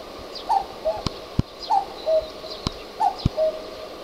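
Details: Common cuckoo calling from the top of a utility pole in a neighbourhood; three clear two-note cuck-oo calls, the second note lower, repeated about every 1.3 seconds, with sharp handling knocks between.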